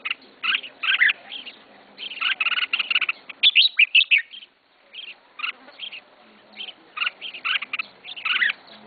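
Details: Red-whiskered bulbul kept by a first-time owner, singing clusters of bright, slurred notes in busy phrases, a short quiet spell midway, then further spaced chirpy phrases.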